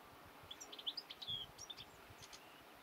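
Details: Goldfinch song, faint and distant: a quick run of thin, high twittering notes and short trills lasting about two seconds, over steady hiss and low rustling background noise.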